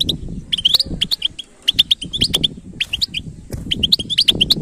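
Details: European goldfinch singing bright, rising twittered notes in quick clusters over a noticeable low rumbling background.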